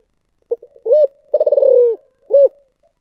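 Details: A spotted dove sings one complete 'giọng thổ sấm' phrase: small stuttering pips, a round hollow coo, a long throbbing coo that drifts downward, and a last short ringing coo.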